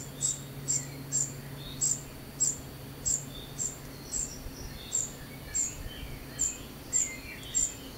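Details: A young common cuckoo being fed gives very high, thin, sharp begging notes about every half second, with a steady low hum and faint insect-like hiss behind.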